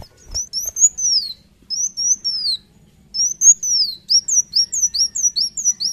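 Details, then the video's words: Vigorous gacor singing from a Van Hasselt's sunbird: long, thin whistled phrases that slide downward, separated by brief pauses, then a quicker series of short, high, falling notes. "Kolibri wulung gacor narung handal"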